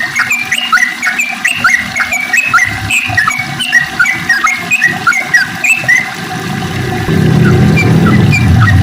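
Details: Sooty-headed bulbul in lively morning song: quick bright chirps and short whistled notes, rising and falling, tumbling several times a second. Other chirps sound high above. A low rumbling hum runs underneath and grows louder near the end.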